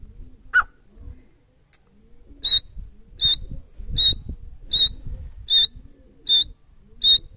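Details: Francolin (teetar), one of a wild pair in the breeding season, giving a series of short high whistled notes. They come about every three-quarters of a second, seven in a row, over faint low rustling.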